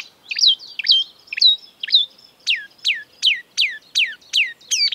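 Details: Mimicking marsh warbler repeating a clear descending whistled note, first softly and then as a loud series of falling slurs spaced roughly every half second.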